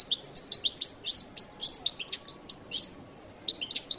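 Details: High, sweet chirping song from a Latin goldfinch, a steady string of short whistled twitters and quick slurs delivered in rhythmic bursts, pausing briefly before resuming, over low background noise.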